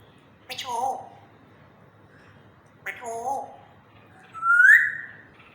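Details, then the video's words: African grey parrot talking slowly in a happy mood: two voice-like syllables about two seconds apart, each with a soft breathy start, then a loud rising whistle. "African grey talking in slow voice"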